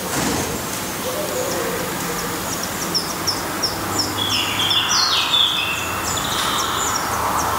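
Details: At a Black redstart nest in Portugal, a run of sharp high descending chips repeats almost three times a second, with a louder whistled, slightly buzzy phrase in the middle, all over constant background hiss.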